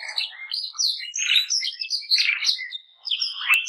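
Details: Canary song of quick twittering phrases, high sweeping notes and buzzy bursts, with a short dip in volume near the end before a sharp final chirp.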